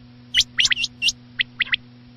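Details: Short burst from a quail at night: a few sharp high whistled notes in quick succession, then three softer clipped notes, steady low hum throughout.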